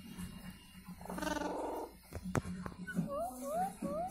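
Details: Pet Alexandrine parakeet, called a talking ringneck Indian parrot, gives a low rumble, then sharp clicks, then a run of rising, curling whistled syllables repeated about every half second.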